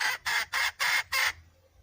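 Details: Wild red junglefowl hen calling: five harsh, broadband squawking notes in quick succession, about four each second, each note short and even in loudness, followed by quiet.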